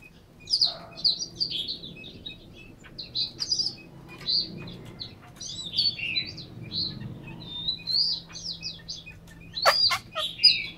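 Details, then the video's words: Chinese hwamei in a cage in Hanoi, Vietnam, pouring out a long, lively song of high whistled phrases, each slurred and varied, repeated every second or so, with a few sharp clicks near the end. "chim họa mi"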